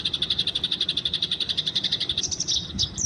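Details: Eurasian tree sparrow in the wild, noted as fighting and recorded for training: steady, rapid string of bright, high chirps at about eight per second, ending in a few sharper rising notes.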